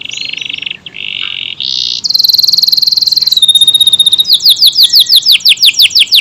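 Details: Kenari AF canary in long, tight song: several flat buzzy trills at different pitches, a bright sustained rattle, then a run of loud, sharply descending notes repeated in quick rhythm.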